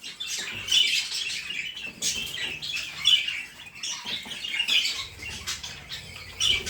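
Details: Budgerigar chattering steadily for several seconds: repeated high, raspy chirps and squawks with brief gaps, plus low rustling and shuffling sounds in the background.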